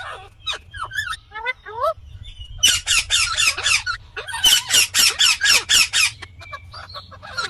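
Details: Indian green ringneck parrot, natural voice: a few thin rising and falling whistled notes, then a rapid burst of loud harsh screeching squawks repeated about four times a second.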